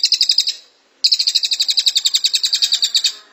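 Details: Cililin (Velvet-fronted Nuthatch) singing in the tight-shot 'tembakan rapat' style, used as a master recording for songbirds: a short burst of about seven high, sharp chips, a pause, then a long rapid run of over twenty chips.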